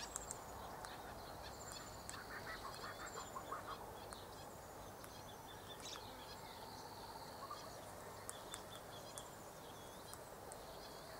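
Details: About seven galahs arriving for a late-afternoon feed, filmed 23 November 2013, give scattered harsh, screechy chips and short squeaky notes over steady background hiss, with occasional higher thin whistles mixed in.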